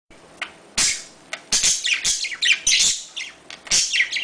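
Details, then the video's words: Pet budgerigars, Australian parakeets kept as domestic birds, chattering in a mating call meant to stimulate breeding: dense high buzzy warbles and chirps in bursts, with sharp clicks between. "muhabbet kuşu çiftleştirme sesi muhabbet kuşu kızıştırma sesi"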